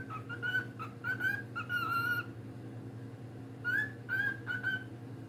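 A cockatiel gives clear whistled notes, some sliding upward, in short bursts over a steady low hum.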